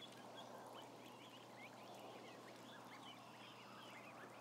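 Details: Around a thousand ducklings kept together, their thin rising peeps scattered through a loud hiss of broadband noise and a steady electrical hum.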